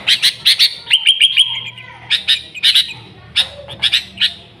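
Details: Lively Sooty-headed bulbul song used to lure other bulbuls: paired sharp chirps, a run of five quick clear whistled notes, then more clipped chirp clusters repeated about every half second.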